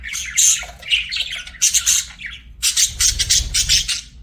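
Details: Pet budgerigars chirping loudly and close: harsh, buzzy squawks and chattering bursts in quick clusters separated by short gaps, with a brief low rumble near the end.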